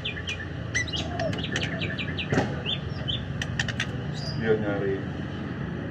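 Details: White-rumped shama singing in the afternoon: a busy run of short, sharp chirps and clicks mixed with brief whistled notes, some rising and some falling, over a steady low rumble in the background.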